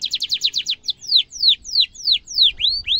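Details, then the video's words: Canary trilling sharply, meant for training young birds; a fast run of short chirps breaks into slower downward-slurred whistles repeated about three times a second, ending with rising notes. "kenari gacor ngerol tajam cuit cuit kenari bisu langsung nyaut efektif untuk masteran kenari muda"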